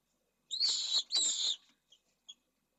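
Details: Pallid swift pair at a nest in Jerez de la Frontera, Esclavas de Jerez, starting the season's second clutch in 2022; two harsh, buzzy screams of about half a second each, high-pitched, followed by faint short chips.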